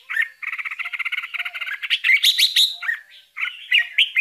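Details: Young bulbuls being fed by their mother; a rapid, buzzy train of harsh repeated notes, then louder squeaky chirps, a short gap, and more rasping chirps.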